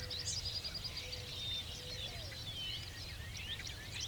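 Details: On a farm in central Kansas, a Dickcissel gives a rapid run of sharp, high chips, with sweeping whistles from Northern Bobwhites and other birds, an occasional Ring-necked Pheasant, and a low rural hum behind.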